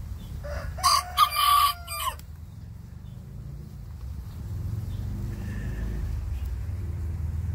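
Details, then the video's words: Bantam rooster sassing the big rooster next door, a loud, raspy, broken crow of three bursts over a lower drawn-out crow, then steady background rumble with a faint distant crow. "Tiny Bantam roosters answer big rooster nextdoor"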